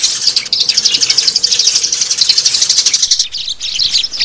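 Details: Lure calls of sparrows for trapping: fast, bright chirps in an unbroken run, then a short break before scattered chirps resume.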